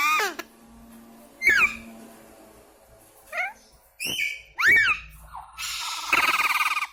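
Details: Indian ringneck parrot mimicking speech: scattered sharp chirpy syllables rising and falling, a few louder squawks near the middle, ending on a long raspy, buzzy phrase; faint low hum underneath.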